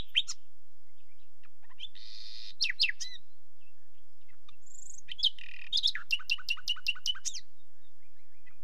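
A nightingale sings varied phrases of sharp clicks, buzzy rasps and a pure high whistle, ending in a rapid run of about eight repeated ringing notes.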